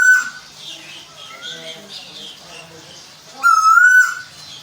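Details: Caged Tuwu (Asian koel) from Bogor, Indonesia: a clear rising whistled note opens the clip, a fainter one follows mid-way, then a loud wavering whistle near the end, over quiet room noise.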